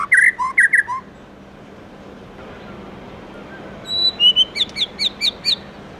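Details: Morning song of a white-rumped shama, forest-style: a few loud looping whistles, a long quiet gap, then a rising high series of sharp whistled notes repeated about twice a second.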